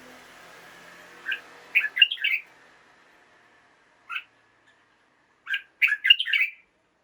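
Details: Caged red-whiskered bulbul's morning song: short groups of clipped, double-toned whistled notes, repeated in bursts with gaps of one to three seconds.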